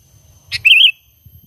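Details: Sooty-headed bulbul giving a natural call, without other birds' songs mixed in, used as a lure for trapping: a short sharp click, then one bright, warbling, slightly wavering whistled note lasting about a quarter second, over a faint low rumble.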